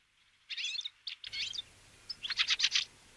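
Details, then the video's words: Fieldfare giving two loud bursts of rasping chattering notes separated by a short pause. "Drozd kvíčala, Fieldfare, Wacholderdrossel, Kramsvogel, Grive litorne, Рябинник, Kwiczoł"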